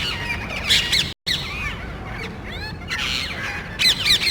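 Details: Small group of parrots inspecting cable boxes near homes for nesting, quarrelsome loud calls; bursts of raspy screeches with arching squawks, a brief cut in sound early on.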